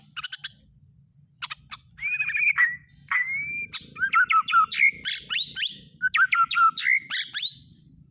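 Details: Lure song of a white-rumped shama, meant to make a shama sing out its repertoire: sharp ticks, two long smooth whistles, then rapid bursts of swooping, downslurred whistled notes, with a faint low hum.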